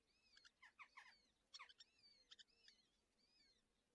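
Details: Two red-footed falcon chicks at a nest in a natural breeding colony near Hortobágy National Park, Hungary, being fed breakfast on 21 June 2024, give shrill, thin squealing calls in quick uneven bursts against a faint hiss. Red-footed falcon.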